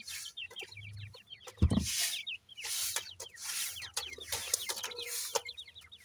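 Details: A brood of new-season grey partridge chicks cared for by their parents, peeping continuously in thin, high, falling notes, with one brief low thump partway through.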